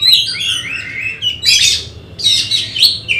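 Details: Oriental magpie-robin readied for a songbird competition: a clear falling whistle phrase followed by two harsh, noisy chattering bursts with bright notes between them.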